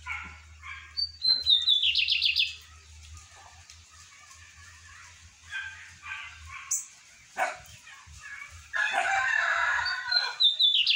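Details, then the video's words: Lined seedeater singing strongly and deeply, with fast buzzy trills that slide downward in steps, heard near the start and again at the end, between dry barking-like noises and clatter. "Bigodinho de Isaías batendo forte e grosso!"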